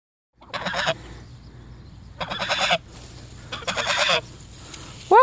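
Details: Two Sebastopol geese acting as bodyguards, guarding their owner from the dogs; three loud, harsh, buzzy honks of about half a second each, roughly one every one and a half seconds, with a brief rising squeal at the end.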